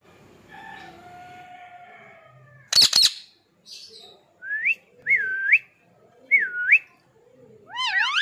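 A rose-ringed parakeet gives a drawn-out, speech-like harmonic phrase and a harsh squawk, then clear whistled swoops that dip and rise, ending on a rising whistle.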